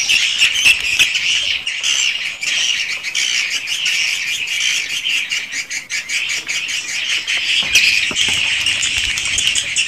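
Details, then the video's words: Swiftlets recorded in their swiftlet house: a continuous mass of scratchy, buzzing chirps from many birds, studded with quick clicking pulses, with a louder surge near the end. "REKAMAN SUARA BURUNG WALET ASLI DI RBW SENDIRI"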